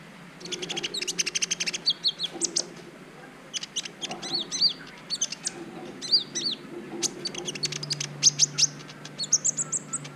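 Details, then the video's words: High, rapid twittering phrases from a Brown-throated sunbird, used as a tutor recording to provoke breeding urge in other birds; short chirpy bursts repeat every second or two, some notes arching, over a quiet low hum. "Masteran Kolibri ninja ( konin) ijoan bahan belajar bunyi pancing birahi burung laen"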